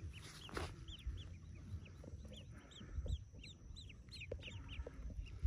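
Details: Newly hatched yellow ducklings among a brood of about forty hatching in a cave nest; faint, high, arched peeps repeat irregularly over a steady low rumble.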